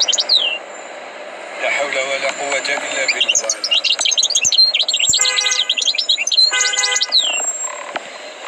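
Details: Goldfinch trained by tutoring, heard after a man's voice: a dense burst of high, liquid twittering, partly overlapped by a sustained tonal whistle-like sound.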